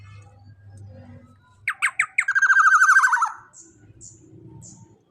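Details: Juvenile black-naped oriole, large-bodied and loud, used to train other birds: after a low engine-like hum, three harsh notes and a fast raspy chatter, followed by soft distant chirps.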